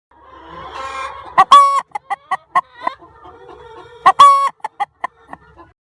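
A hen gives two loud, drawn-out squawks about three seconds apart, each trailed by a run of short, clipped clucks over a faint background murmur.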